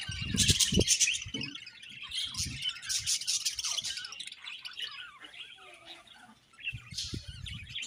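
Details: Busy budgie chirping: rapid, scratchy high warbles and tweets in a steady stream, with occasional low thuds.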